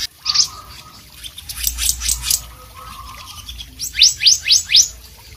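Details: Energetic blue whistling thrush song: scattered sharp notes and a burst of buzzy high strokes, then four loud, clear, rising whistles in quick succession, over a faint constant low tone.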